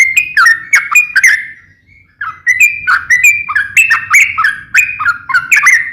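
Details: Trucukan, a yellow-vented bulbul, singing a gacor, ngeplong song: rhythmic, slurred whistled notes repeated in quick sequence, with a short break, over a faint low hum.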